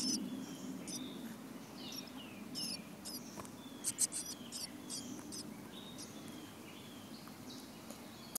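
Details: Thin, high squeaky chips and short downslurred notes from almost-fledged chickadee nestlings in a backyard birdhouse, scattered irregularly over a steady low hum; Chickadee.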